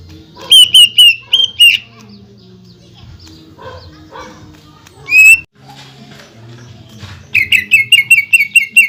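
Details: Greater green leafbird song used to provoke other leafbirds: a run of six fast, clipped high notes, softer chatter, a single loud note, then a long rapid volley of about twelve sharp repeated notes.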